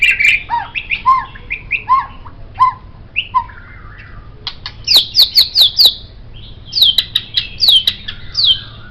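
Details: Song of a white-rumped shama used as a songbird master: varied fluting whistles dropping to lower mellow notes, then crisp descending whistles repeated in quick series after a brief pause.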